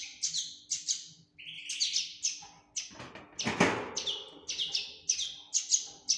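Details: Common linnet fledgling uttering repeated high chirps, some with a lower twangy tail, about two per second; a brief rustling knock interrupts midway.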